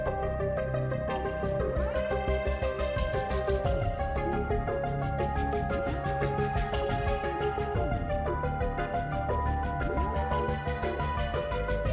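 Only steady instrumental background music is heard, with no animal calls.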